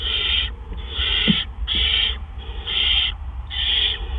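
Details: Great horned owl, nest delivery of a gopher, 1:43 AM, 10 April 2013: five hoarse, rasping screeches of about half a second each, roughly one per second, with a low background drone.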